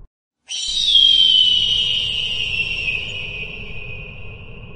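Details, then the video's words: An eagle gives one long, harsh, high scream that slides slightly downward and fades over about four seconds; nothing else is heard. "Eagle song - Canto dell'aquila"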